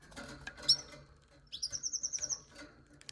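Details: Canary gives a single high chirp, then a fast, evenly pulsed high trill of about ten notes over a faint background hum.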